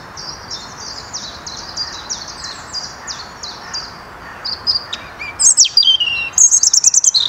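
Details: European robin (Erithacus rubecula) in the Netherlands, 2023: thin, high notes, first a quick run of soft downslurred chips, then louder sharp trilled phrases, over a steady faint background hiss.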